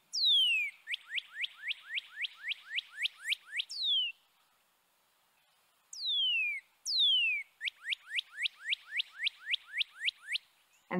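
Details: Northern Cardinal song: loud, clear down-slurred whistles, a long slur then a rapid run of about a dozen short notes at three to four per second, repeated twice. The song sometimes sounds like "birdie birdie birdie".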